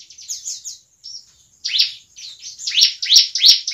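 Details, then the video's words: A bar-winged prinia sings at night in rapid, high, buzzy chirps in quick bursts, about three notes per second, growing louder and harsher toward the end; the recording is used as a lure call. "suara ciblek malam hari"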